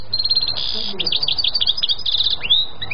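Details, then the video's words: European goldfinch singing: fast tinkling twitters and short buzzy trills in quick runs, ending with a rising then falling whistled note, over a low steady rumble. "chardonneret qui chante"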